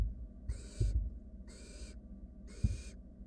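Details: Three drawn-out rasping hisses, roughly one each second, come from wild barn owl chicks in their nest box as a sibling works a rat down. Soft bumps and shuffling sound underneath.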